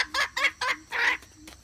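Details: Hen calling, a sound described as good for trapping: four short harsh clucking notes in a brief burst, the last one longer and louder, with a faint steady hum behind.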